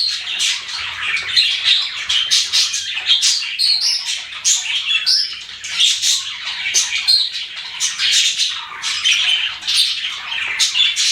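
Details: Several pet budgies chatter nonstop, a bright, busy wash of overlapping high chirps and raspy twitters, steady in loudness from start to finish.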